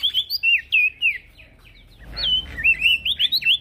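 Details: Vigorous song of a male prinia (prenjak daun), used to tutor other birds; a continuous stream of quick, high whistled slurs rising and falling, with a short softer pause midway and a faint low hum.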